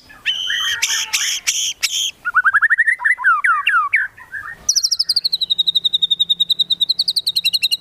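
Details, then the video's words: Medan white-rumped shama in full song with mimicked fillers: harsh buzzy bursts, a run of rapid downslurred whistles, then a long fast trill of high, even, repeated notes, about six per second. "MURAI BATU MEDAN GACOR FULL ISIAN TEMBAKAN CILILIN SAMBUNG LIVEBIRD CUCAK JENGGOT"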